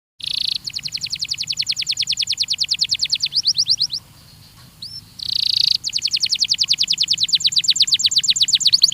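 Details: Belgian canary song from a training recording: long rapid buzzy trills of steeply falling notes, a short break with a few rising upslurs, then another fast trill, with a faint low hum beneath.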